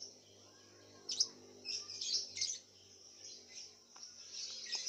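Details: Contest lovebird from Singkawang, West Kalimantan, Indonesia, caged and fed white millet, delivering high, sharp chirps and scratchy twittering in short bursts over a steady low electrical hum.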